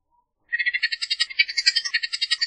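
Bullock's oriole gives a dry, harsh rattling chatter of about twelve quick notes per second, rising slightly in pitch, after a brief silence.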